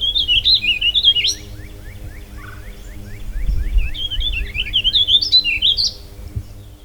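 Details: Warbling vireo (Vireo gilvus) song recorded at Harvey County West Park, Kansas: two long, fast, rambling warbles of high notes rolling up and down, with faint chips from another bird and a low hum underneath.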